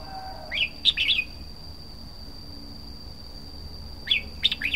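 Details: Red-whiskered bulbul giving two bursts of lively, slurred whistled notes, the first near the start and the second after about three seconds of quiet, over a constant faint high-pitched hum.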